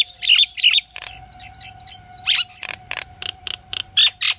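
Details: Pied myna giving a varied series: two harsh grating squawks, three soft rising whistles, then a run of short raspy chattering notes, with a faint steady low hum underneath.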